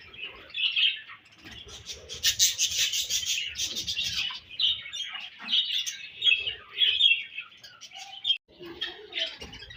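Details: Several budgerigars chatter while eating their favorite food: continuous high warbling twitters, rasping bursts and short squeaky notes overlapping, with a few soft low knocks underneath.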